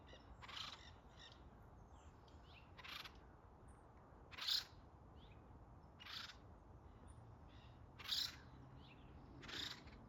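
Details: A family of acorn woodpeckers living atop a tree give harsh, raspy calls, one every one to two seconds, some near and some farther off, calling over to other woodpeckers in another tree, over a low steady background rumble.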